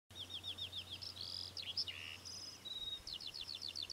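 A Temminck's stint gives rapid, high, ringing trilled notes in quick bursts at the start and end, with a few thinner whistles between, over a faint low hum.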